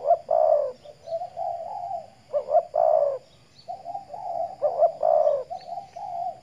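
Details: Caged decoy spotted dove from the Riau Islands, Indonesia, set out in morning sun to stay healthy, giving three loud, throaty cooing phrases about two seconds apart, each a quick rising double note then a long burred coo, with softer trailing coos between.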